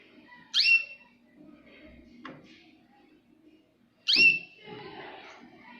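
A Jaspe canary gives two sharp, high whistled chirps about three and a half seconds apart, each sweeping quickly in pitch, over faint room noise.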